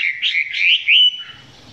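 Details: Chinese hwamei at close range, song not yet at full power; one brief warbling whistled phrase rising toward its end, then fading.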